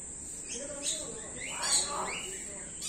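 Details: Common hill myna copying human speech at Jamshedpur Zoo after lockdown; two drawn-out, voice-like harmonic utterances, the second louder, over a continuous high-pitched insect hiss.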